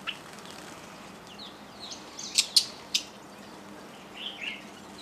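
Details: Fischer's lovebirds, many of them hybrids with yellow-collared lovebirds, at a feeder at a lodge by Lake Elementaita, Kenya: a few sharp high shrieking chirps in a quick cluster, then a softer squeaky call, over faint background.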